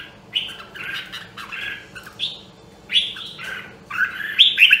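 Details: Rare Nam Dong, Hue red-whiskered bulbul in voice training: soft warbled phrases building to louder, brighter chattering notes at the end.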